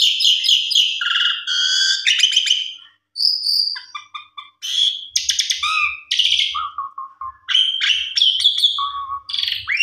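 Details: Javan pied starling known locally as jalak suren, a lively singer, delivering a richly varied song meant to stir quiet birds: stuttering buzzy notes, clear whistles, crackling chatter and short low repeated notes, with brief pauses.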